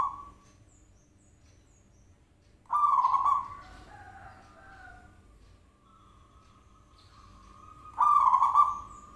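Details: Zebra dove call used as a lure to make the bird reply: a brief note at the start, then two short trilled coos about five seconds apart in a quiet setting.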